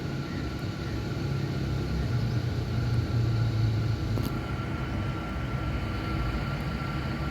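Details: Continuous low rumble of vehicles with a faint steady hum and one brief click; no animal sounds.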